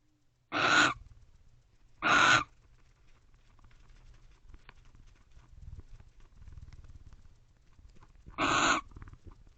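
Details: Barn owl pair at their nest box late at night in autumn; two raspy screeches in quick succession, a pause with soft shuffling, then a third hissing screech.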